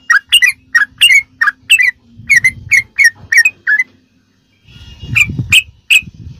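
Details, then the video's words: Sooty-headed bulbul ropelan song used as tutoring material for caged birds: a run of sharp, slurred chirps about twice a second, a short pause, then three more loud notes over low rumbling background noise. "ROPELAN BURUNG TRUCUK TERBAIK||PASS BUAT ISIAN¦¦MASTERAN TRUCUK"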